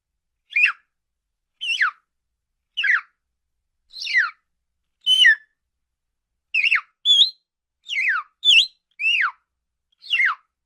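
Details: Budgerigar calling in a steady series of about eleven brief chirps, most sliding sharply downward, some with a little upward flick, delivered roughly every second in quiet surroundings.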